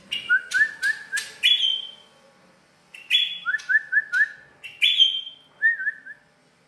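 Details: A tame, actively singing bar-winged prinia at Kotaraja, Jayapura, gives bright bursts, each a sharp high note followed by three or four quick rising chirps, repeated about three times in quick succession.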